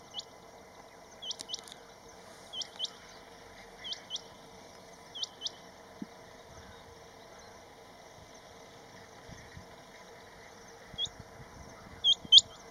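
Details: Rain quail mating call during the rainy-season breeding in Western Ghats grassland: sharp, high, metallic double notes, 'whit-whit', about every second and a half, pausing then resuming, over a steady low hum.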